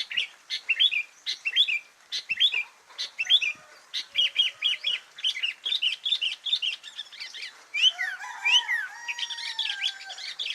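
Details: Sooty-headed bulbul song as a steady stream of quick, bright chirped phrases rising and falling; near the end a lower, smoother drawn-out whistle from another bird joins in.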